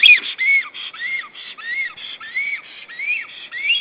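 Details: Black stork at its nest in Estonia, filmed by a nest camera on 16 April 2013 as the bird returns to the nest; a series of clear whistled notes, each rising then dropping, repeated roughly twice a second on a quiet background.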